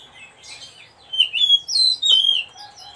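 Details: Oriental magpie-robin singing a short burst of loud, rich whistled notes, sliding and warbling in high pitch, with quiet room noise before and after.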